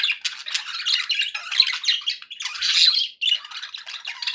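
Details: Budgerigars kept as pets chirp happily in a small room, a busy mix of scratchy warbling, clicks and sharp squawks with one brief pause near the end.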